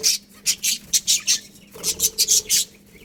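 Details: Budgerigar colony giving bursts of bright, high chirps in two quick runs, each note short and sharp, separated by a brief quiet gap; a faint steady low hum underneath.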